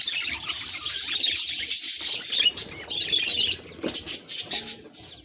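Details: Budgies reacting to a mirror: high chirping and warbling chatter, then a series of separate soft pulses near the end, possibly wing flutters.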